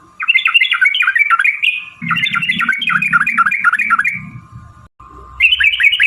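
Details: Sooty-headed bulbul long-trill song for triggering other bulbuls to sing: fast chattering trills in two bouts, a brief gap, then another trill, with a steady hum and low rumble.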